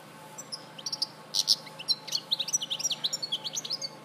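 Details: European goldfinch singing at Larache, 2014: a lively, rambling stream of high, liquid twitters and chirps with fast trills and buzzy notes, continuous for about four seconds against a quiet backdrop.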